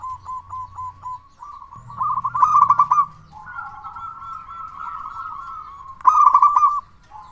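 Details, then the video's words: Zebra dove of local stock with a big voice, played to provoke other doves into singing. Short spaced notes lead into a loud, rolling trilled coo, then a long, smooth, steady tone, and a final bubbling burst. "Perkutut Lokal Gacor Suara Besar Pancingan Burung Perkutut Agar Cepat Bunyi"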